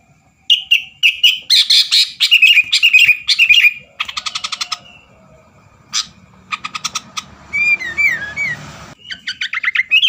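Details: Sooty-headed bulbul in energetic 'gacor' song meant to make rival birds sing: dense scratchy chattering notes, stuttering buzzy series, and later slurred rising and falling whistles, irregularly paced.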